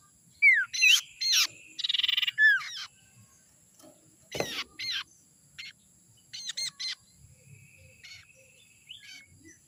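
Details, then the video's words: Common iora (sirtu), young wild forest bird, lure call: a fast series of sharp descending whistles and a rapid trilled buzz, then quieter scattered chips and short whistles after a thump. "suara sirtu muda hutan ini suara ampuh pancingan"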